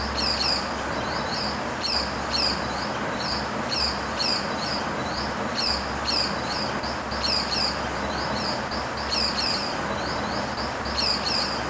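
Pied falconet giving shrill, high, chevron-shaped notes in short bursts about every second or two, over a steady broad hiss of background noise.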